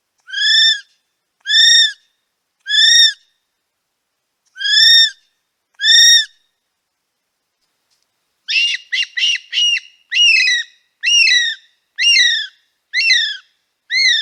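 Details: Male kiwi calling at Paignton Zoo: five loud, shrill whistles, a pause, then a faster run of harsher, rising and falling whistled notes, otherwise quiet.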